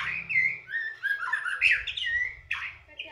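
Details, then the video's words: White-rumped shama, a young former competition bird in captivity, delivering continuous varied song: fluid whistled slurs and quick twittering notes, ending with a sharp downward note, some low background hum. "MB balak 6 mantan prestasi"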